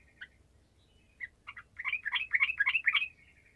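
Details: Sooty-headed bulbul, 'gacor' song played to get lazy bulbuls singing: a few spaced chirps build into a quick run of bright, bouncing, gurgled notes.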